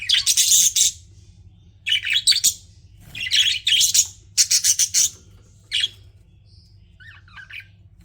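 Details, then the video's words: Pet budgies chirping loudly in dense, scratchy bursts about a second long, repeated rapidly, trailing off into softer twittering notes. "CUTE PET BUDGIES CHIRPING"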